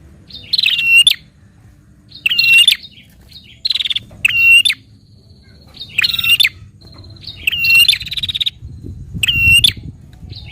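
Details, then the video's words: Prinia song played to prompt a caged prinia into singing. Six harsh, rattling, high bursts, each with a clear ringing whistle at its core, arrive at uneven intervals of roughly one and a half seconds against a faint low hum. "Burung Prenjak Gacor Narung Cepat Rangsang Bunyi Prenjak Anda"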